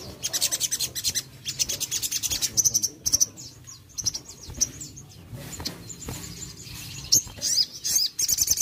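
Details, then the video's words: Crested jay sounds meant to prompt a quiet bird to respond; busy series of high, rapid ticking notes and thin sustained whistles, repeated in irregular bursts over a faint hissing background. "Sogon Malas Bunyi Langsung Respon Dengar Sogon Ini"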